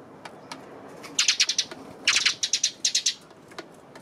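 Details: Eurasian tree sparrow on 28 May, delivering three quick bursts of rapid, closely spaced high chirps, each burst of four to six notes, with faint clicks at the edges.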